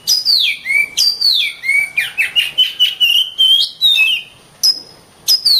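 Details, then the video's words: Oriental magpie-robin singing vigorously: high whistles sliding downward, then a rapid rhythmic run of short notes on one pitch, a level held whistle, and new high sweeps after a brief silence. "suara burung Kacer gacor"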